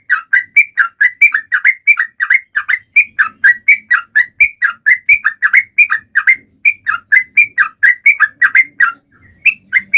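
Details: Sooty-headed bulbul singing continuously to encourage silent birds to join in; dense stream of fast bubbly notes, paired rising and falling phrases repeated rapidly for about ten seconds.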